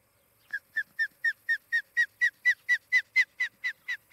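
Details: Osprey at the Charlo, Montana nest, recorded by a nest camera late on the morning of 23 July 2018: a clean series of about fifteen ringing, whistled yelps, evenly spaced and building in loudness, over near silence.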